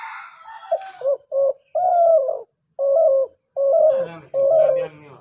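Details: Low steady coos from a dove used to lure birds for hunters, short notes building to longer even ones, with a man's voice heard at the start and murmuring over the last calls.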